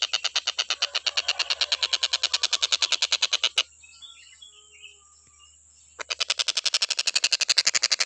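Stork-billed kingfisher giving loud, harsh, rapid chattering notes, about eight a second, in two long bursts separated by a brief quiet pause.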